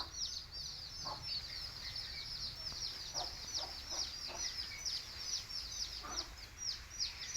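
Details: Country chicken chicks chirp busily in thin, high, down-slurred peeps, with occasional soft clucks from the hen calling her brood to eat.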